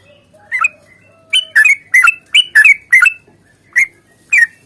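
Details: Fighting song of a sooty-headed bulbul, played to prompt other bulbuls to sing. Scattered liquid, squawky notes come in a loose cluster, with short gaps between bursts.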